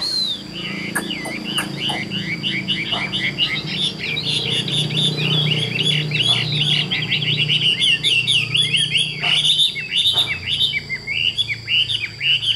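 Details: Chinese hwamei, a tame bird kept for sale, singing a long unbroken run of rich, varied whistled phrases with rapid trills and slurred notes, high and dense throughout, over a steady faint high hum and low background rumble.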